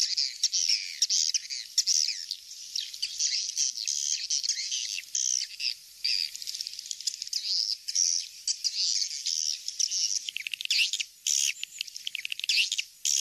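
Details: Swiftlets in a "kings star" lure call: a long, dense chorus of high twittering and chirps, with faint clicks and short breaks near the end.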